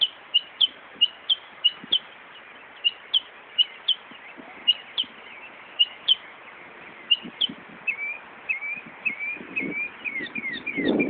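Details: Wild northern mockingbird in Buckland Park, Brighton, NY, imitating a car alarm: clipped high notes spaced about half a second apart, then a switch to a fast series of downward-slurred whistles, with faint low rumbling near the end.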